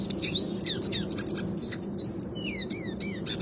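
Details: Red siskin (Spinella cucullata), song: training other birds to learn the song.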